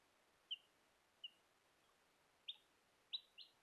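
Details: Bielefelder chicks; soft, high, short peeps, scattered singly then a quick pair near the end, over a quiet hiss.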